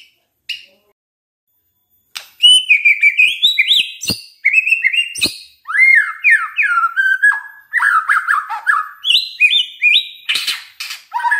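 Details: Shama lure song for setting other shamas singing: a brief note, a pause, then a rich flowing run of whistled phrases mixed with sharp clicks and scratchy bursts, continuing without a break.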